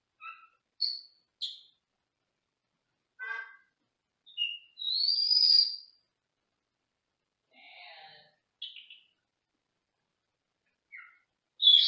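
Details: Male Senegal parrot in a small cage indoors, recorded from another room, producing a varied series of high squeaks, clipped whistles, rasping chatter and one long shrill screech, with quieter scratchy notes and a loud final squeal.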